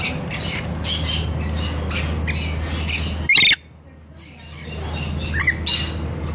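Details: Rainbow lorikeets taking a bath, giving harsh, screechy squawks in quick bursts, with a sudden loud clatter and a short pause midway, over a steady low hum.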